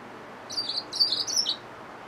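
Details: Yellow-fronted canary mule, a hybrid finch, giving two short bursts of high, buzzy twittering notes over faint room noise.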